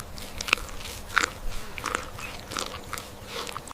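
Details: Crunching, chewing sounds come in irregular bursts, with no animal calls heard.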